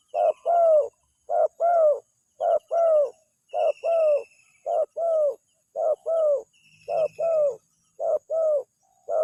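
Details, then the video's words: Lure call of the spotted dove, meant to get an answer from wild birds. Paired coos, a brief note then a longer mellow one, repeat steadily about once a second. Thin high chirps and trills run faintly behind. "suaranya langsung direspon, pikat burung tekukur"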